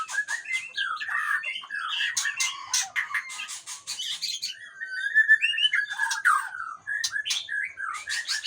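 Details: Aceh white-rumped shama singing a busy medley of harsh chatter, clicks and short whistles, with a clear sliding whistled phrase near the middle.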